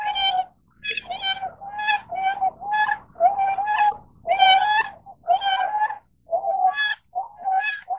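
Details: Tundra swan calling: repeated nasal, bugling honks, each a slightly wavering single note, given in uneven bursts about once per second with short gaps.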